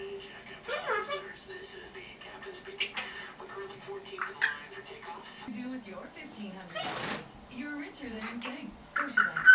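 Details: Ten-and-a-half-month-old female pet red-bellied parrot chattering: a mix of short whistled notes, squeaks and talking-like sounds, with one loud harsh rasp near the middle, over a steady low hum.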